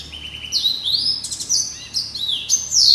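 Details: Caged male hybrid finch, Yellow-eyed canary × Timbrado, gives a lively high warble of rising and falling whistles broken by brief buzzy bursts, ending on a loud sharp phrase.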